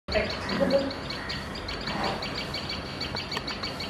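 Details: A common tailorbird gives a steady alarm series of sharp, high notes, several each second, as other birds come close to its nest, over a soft background hiss and a brief low rustle.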